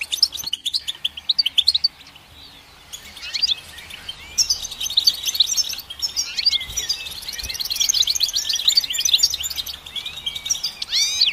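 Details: Long goldfinch song building from scattered chirps into a dense, buzzy, tumbling twitter of fast trills and slurred notes, over light background noise.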